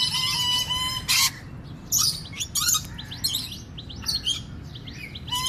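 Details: A breeding pair of Swainson's lorikeets with babies in the nest box gives harsh, grating screeches in short bursts, mixed with quick squeaky chatter; a steady whistled tone opens, over a low background hum.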